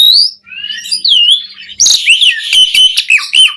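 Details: Asian pied starling singing, recorded to prompt caged birds to sing: long, smooth wavering whistles give way to a loud burst of harsh chatter and short whistled notes.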